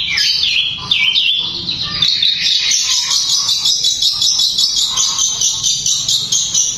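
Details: Long-tailed shrike's fast, tightly packed song, said to rouse other shrikes. A few sweeping notes open into a continuous high, rapid chattering trill that pulses steadily throughout.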